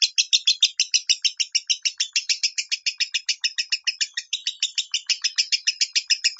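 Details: Lovebird giving 'minor' style song, used as a tutor recording to train pet lovebirds: a continuous stream of rasping, high chirps, around six or seven a second, slightly uneven in rhythm throughout.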